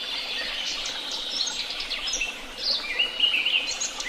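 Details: Several birds calling at Tehidy Woods: scattered sharp chirps and quick trills, then a louder stretch of bright whistled notes and warbles toward the end, over a soft hiss.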